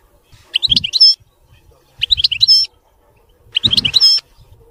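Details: European goldfinch delivering clean song as three short, bright twittered phrases about every one and a half seconds, each mixing quick liquid notes with a thin high whistle, soft low bumps under the phrases.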